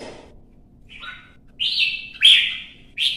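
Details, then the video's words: Red-whiskered bulbul provoked into duelling song in Vietnam: a short, quiet whistled note, then two strong, drawn-out buzzy-warbled phrases and a final clipped burst. "CHÀO MÀO | Kè kích chim hót đấu kích ché căng lửa"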